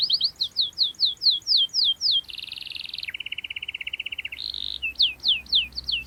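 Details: Canary (kenari) in full, lively song with sharp rolling trills, used to pressure rivals and as a lure for young canaries learning to sing: rapid descending whistled sweeps, then a fast buzzy trill dropping to a lower rolling trill, before the sweeps return.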